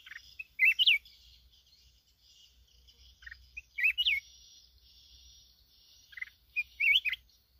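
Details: Red-whiskered bulbul, a wild mountain bird in Binh Thuan, Vietnam, giving short bright warbled phrases that rise and twist, repeated about every three seconds, with faint hiss between.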